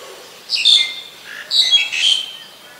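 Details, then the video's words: Black-collared Starling (Gracupica nigricollis) in Ubon Ratchathani, Thailand, 26 March 2021, gives two harsh, wheezy bursts with high, squeaky whistled notes about a second apart, otherwise quiet. "นกกิ้งโครงคอดำ Black-collared Starling"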